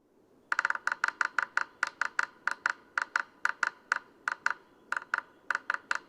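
A sapsucker drums with no voice: a quick burst of taps, then slower, uneven single and double knocks for about six seconds in a quiet room.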